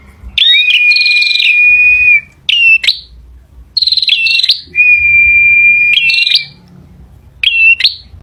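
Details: Male bar-winged prinia in loud song, mixing bright high chirps with long, steady, whistled notes held for over a second, in phrases broken by short pauses over a soft low hum.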